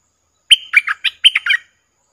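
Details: Streak-eared bulbul kept as a decoy to draw in wild birds, June 2021: one rapid, liquid phrase of about seven gurgling notes, the first a longer slurred whistle, all over within about a second.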